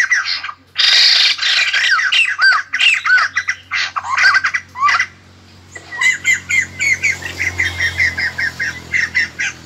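White-crested laughingthrush giving loud, harsh chattering squawks, followed by a long run of quick, repeated whistled notes.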